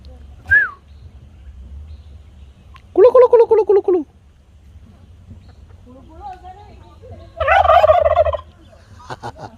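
A wild turkey gives two rapid, rattling gobbles, each a fast burst of throaty pulses dropping slightly in pitch. A brief squeak starts the clip, with faint rumbling background.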